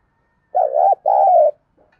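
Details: Decoy spotted dove cooing to prompt other doves to call: two loud, hoarse coos in quick succession, each with a wavering, dipping middle, then silence.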